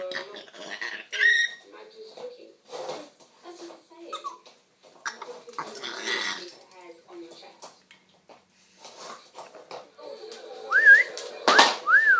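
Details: Male African grey parrot kept as a pet, recorded from a distance, makes a string of varied chatters, clicks and low mumbling notes, ending with rising whistled notes and a sharp squawk.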